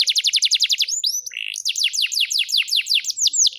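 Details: Rembang canary in full song, fast rhythmic trill of downswept whistles, a brief buzzy note, then a slower run of bright, looping notes repeated several times a second.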